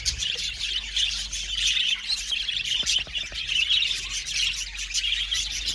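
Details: Many budgerigars in an aviary colony: a dense, continuous chorus of chirping and warbling chatter from many birds at once, with scattered sharper squawks and clicks throughout.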